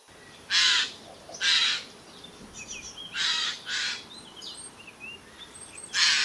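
Eurasian Jay giving five harsh, rasping screeches at uneven intervals, some in quick pairs. Thin, high chirps from other small birds sound in between.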